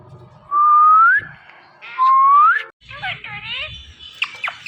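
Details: An Indian ringneck (rose-ringed parakeet), a talking parrot saying "mithu mithu": two loud, clear whistled phrases each rising in pitch, then softer chattering, squeaky syllables.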